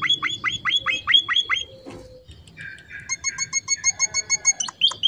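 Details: Finch, locally called emprit, singing busily as filler song: a fast run of bright, downward-hooked chirps, then a pause with faint scratchy sounds, then a second series of thinner, evenly spaced ticking notes.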